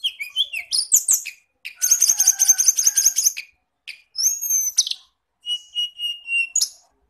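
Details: Masteran (birdsong training/lure) track of Indonesian songbirds, the magpie-robin (kacer), shrike (cendet) and flowerpecker (tledekan): high-pitched phrases of quick chirps, a dense buzzy trill, then clear whistled notes and a long thin whistle, in bursts with short pauses.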